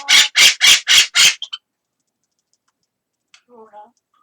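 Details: Pet Amazon parrot answering another parrot's call; five loud harsh squawks in quick even succession, then a pause and a soft low tonal note near the end.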